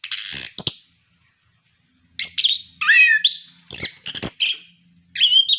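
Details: Orange-headed thrush in full song, used to prompt other captive birds to sing: sharp bright phrases, a pause of over a second, then varied whistles, slurred notes and clicks, no other sounds.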